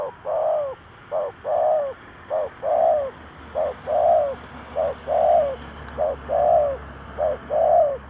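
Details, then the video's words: Spotted dove cooing to draw in wild doves: seven steady couplets of short then long hollow coos at a regular pace, over a continuous low hum and hiss. "Tổng hợp chim cu gáy thúc gù / Cu gáy kích mồi Cực chuẩn / Tiếng cu gáy kích bổi nhanh nổi"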